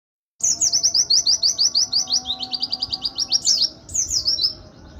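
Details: Oriental white-eye singing a fast, high, sustained run of sweet descending whistled slurs, several notes a second, continuing without pause and ending in a brief trill.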